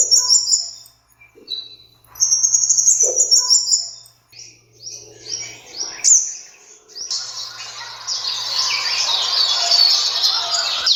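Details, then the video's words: Sunbird calls used for hunting: bright, high chirping bursts separated by pauses, then a run of quick sliding notes and a dense, hissy stretch of overlapping high twitters. "Sun Bird Calling Sound Effect"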